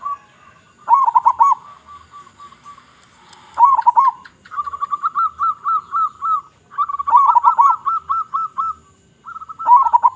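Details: Singing local zebra dove, Indonesian stock, with a big voice and used to attract other zebra doves: repeated phrases, each a loud gurgling burst followed by a quick row of even, clipped cooing notes.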